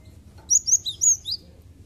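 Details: Cinereous tit song, played as a lure to get untrained birds singing quickly: a rapid run of clear, high whistled notes alternating between a sharp upper note and a lower, slurred one, about five notes in one second over faint low hum.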